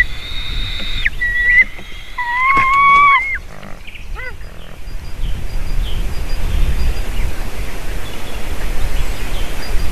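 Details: Eagle, a female calling as she lands at the nest while eaglets cry, around feeding time on 7 June 2023 late afternoon; clear whistled slurred notes near two seconds, then fading squeaks, over steady low outdoor rumble.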